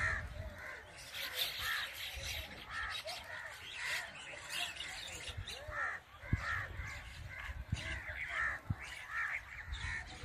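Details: A flock of mynas flying as a group keeps up a dense, harsh chatter of overlapping squawks, whistles and creaky calls, with a low rumble of background noise.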